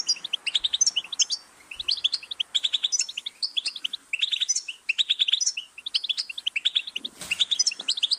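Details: Goldfinch song in rapid twittering phrases of bright chirps, some rising and trilled, broken by short gaps, with a soft rustle near the end.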